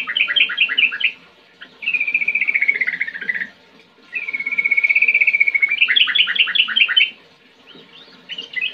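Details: Sooty-headed bulbul in full song, in the rapid rolling 'ngetir ngerol' style: clusters of quick two-note chips alternate with long, sustained, wavering rattled trills of about a second each, separated by short pauses.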